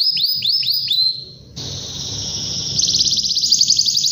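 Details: Canary in full song, calling out to rivals and prompting other canaries to sing: high, repeated, downslurred whistles, then a sustained, shrill tone leading into a fast, rattling high trill.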